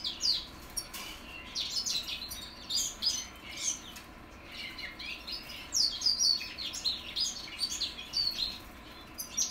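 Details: Young goldfinch mules from 2021 learning to sing: a continuous rambling twitter of high, scratchy chirps and short trills in uneven bursts, several voices overlapping over a steady low background hum.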